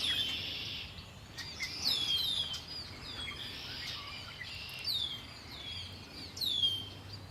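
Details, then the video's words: Birds sing by Lake Erie: clear downslurred whistled notes repeat every one to two seconds, with higher faint chirps from other birds over a soft hiss. "Birds singing by Lake Erie"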